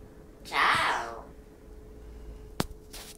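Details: Captive talking hill myna imitating human speech indoors: one loud, voice-like phrase of about half a second with rich harmonics, then quiet room noise and a sharp click.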